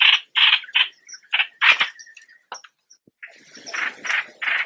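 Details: Streak-eared Bulbul: a few harsh buzzy bursts, then scattered short clear notes and clicks, ending with softer rasping calls.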